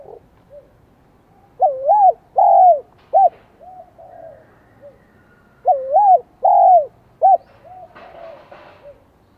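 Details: Vietnamese spotted dove with a 'giọng son' high-pitched voice: two ringing three-part coo phrases about four seconds apart, each a looping upswept note, a drawn-out coo and a short end note, with quiet softer coos between.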